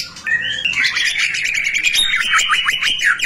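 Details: Shama song meant to stimulate other white-rumped shamas to sing: an unbroken rapid stream of buzzy, rattling notes with short whistled flicks, steady and loud throughout.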